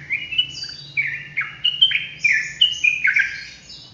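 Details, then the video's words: Sooty-headed bulbul delivering an energetic ropelan song for tutoring: quick bright whistled notes tumbling one after another, several dropping steeply in pitch, with chattering overlaps and a soft steady hum in the background. "TRUCUKAN ROPELAN GACOR COCOK BUAT MASTERAN"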